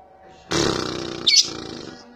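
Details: A young lovebird being trained to give its long trilling call gives a harsh, rapid chattering trill, high and buzzy, lasting about a second and a half before trailing off.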